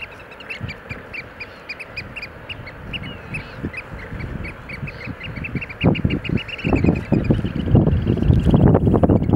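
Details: Eurasian oystercatcher piping during a display dance: a fast, excited run of shrill, repeated kleep notes, over low rumbling wind or surf noise.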